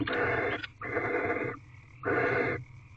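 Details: Barn owls inside a nest box at night while mating, 9 March 2023 at 5:19 am: three long, breathy, rasping hisses, each about half a second, repeated roughly once per second over a low steady hum.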